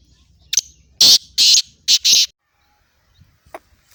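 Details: Black francolin, the Sindhi pheasant or kala teetar, said to call throughout the day, utters a loud, grating call: a brief opening note followed by four harsh, buzzy bursts, then near silence with a few faint clicks.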